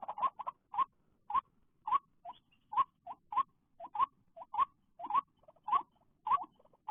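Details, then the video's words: Repeated call of a white-breasted waterhen after rain, filmed at a bird trap: clear, rising, mid-pitched notes given in a steady series roughly every half second, with soft clicks between them. "jerat burung ruak ruak sehabis hujan"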